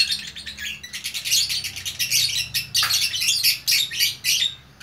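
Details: Single fighter lovebird in Bukittinggi, West Sumatra, singing continuously in gacor style: fast, buzzy, high chattering notes run together in a long, dense sequence.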